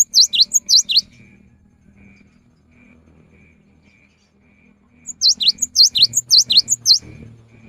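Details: Afternoon song of a cinereous tit, said to draw other tits into singing. It opens with a burst of sharp, high, swooping notes, falls quiet apart from a faint hum, then resumes with a longer rapid series of dipping whistles.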